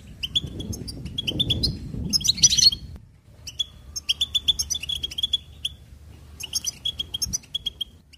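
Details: Goldfinch warbling opens with chirps over a rustling low noise, bursts into a dense buzzy twitter near two and a half seconds, then continues with long runs of rapid bright notes.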